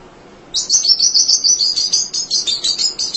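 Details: Munia singing tirelessly, kept as a tutor for other songbirds: after a half-second pause, a continuous run of fast, high, buzzy chirps repeated about three times a second for the rest of the stretch.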